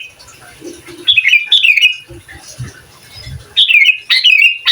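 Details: Sooty-headed bulbul in energetic song said to rile rival bulbuls, suited as a master recording; short clear whistled phrases falling in pitch, given in two bursts separated by a quieter gap with soft low chirps.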